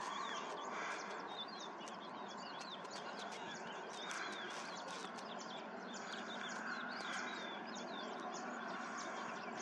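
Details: Black-winged stilts, just arrived on migration and feeding on larvae and insects in a pond, give a steady stream of sharp, high yelping calls, several birds overlapping, over constant wind-like background noise.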